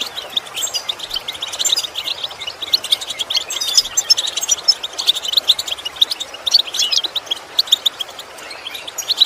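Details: European goldfinch song for training birds to improve their song: continuous rapid twittering and tinkling high notes, a busy unbroken chatter throughout.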